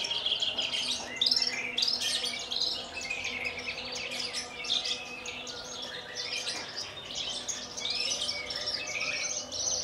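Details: Javan bush lark of the Kulon Progo line in Indonesia, a kept bird that hovers, lands on a stone perch and sings Jambul style with quivering wings; long stream of high, jumbled twittering phrases, faint steady hum beneath.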